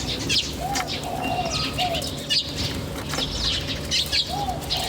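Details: Wild birds chirping in a natural setting, bright high chirps and twitters clustered in quick bursts, mixed with short lower warbled notes and a faint continuous hum.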